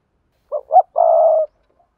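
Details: Spotted dove calling to lure wild doves, using the sa thúc, gù and gáy calls: two short soft low hoots followed by one longer, steady, slightly wavering coo.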